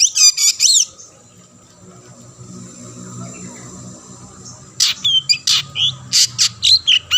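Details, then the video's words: Long-tailed shrike, used to coax other shrikes to sing: a short burst of high chirps, a few seconds of near silence with low hum, then a quick run of sharp clicks and whistled squeaks. "burung cendet gacor ampuh‼️ memancing cendet lain ikut bunyi"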